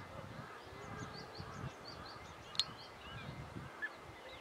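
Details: European bee-eaters, locally called Tulri Khaaw, in the wild in Kashmir: many short, liquid, rolling notes from several birds overlapping two or three times a second, over a low rumble of wind or distant traffic.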